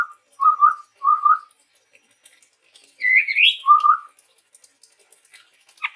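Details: Low, mellow whistled notes from a male chestnut-rumped babbler of the Sumatran forest, given in short doubled phrases, with one higher rising slurred whistle between them and quiet gaps.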